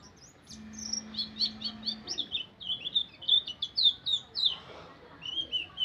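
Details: White-eye (pleci) giving a chattering 'ngeriwik' song of rapid high twittering notes in quick bursts, with a faint steady low hum underneath early on.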